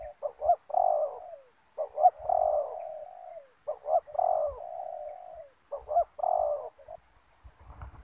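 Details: Decoy spotted dove calling during ground trapping with snares: repeated phrases of two or three quick clipped hoots followed by a longer, drawn-out coo that slides downward, each phrase separated by about a second of quiet.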